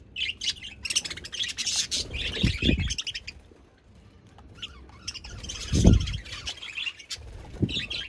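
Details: Budgerigars in a group, with busy overlapping chirps and warbling chatter in bursts, separated by a quieter gap; low thumping or handling noises rise twice.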